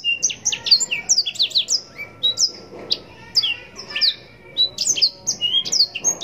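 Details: Non-stop chattering song of a Yellow-rumped serin, known locally as blackthroat, used as mastering for contest birds: a fast tumble of high sweet whistles and quick chirps, nearly continuous for six seconds.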